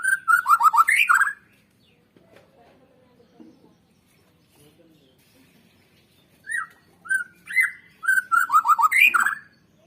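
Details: White-rumped shama song used to stimulate birds to sing: a quick run of falling whistled slurs, a quiet pause with faint low sounds, then another phrase of spaced whistles building into a rapid descending series.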